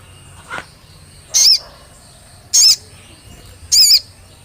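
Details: Olive-backed tailorbird song used as a lure to get kept birds singing: three loud, piercing high notes spaced about a second apart, each a short bright burst, preceded by a fainter lower chip.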